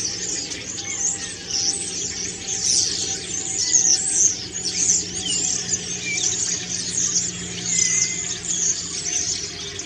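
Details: Autumn song of a common starling during preening, a rich stream of squeaks, buzzy rattles and occasional lower slurred whistles.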